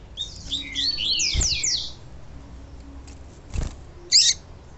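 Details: Double-collared seedeater (coleiro) giving pure tui-tui song with female calls, used to stimulate males: a quick run of high, sweet slurred notes, then a brief sharp chip after a pause; faint hum and soft thump.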